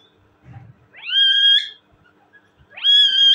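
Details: Pet talking parrot kept at home, giving two loud rising whistled calls, each sweeping up and then holding a steady bright tone for about half a second, with a faint low murmur before the first.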